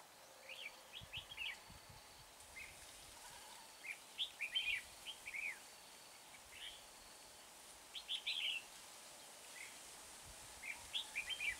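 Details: Red-whiskered bulbul kept as a trapping decoy at Hương pagoda, singing clusters of quick, lively whistled notes, phrases scattered through the recording with quiet gaps, against steady outdoor background noise.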